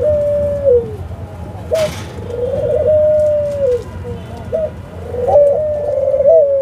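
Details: Australian dove cooing: drawn-out, soft mid-pitched coos that hold level and then slide downward, with short clipped notes between them. A sharp click sounds near the start and low background rumble runs throughout.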